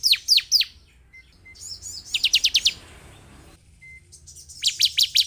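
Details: Bar-winged prinia song used as a lure to make a caged bird sing: sharp high descending chirps in short bursts, a quick run of rapid notes, then another fast series after a pause.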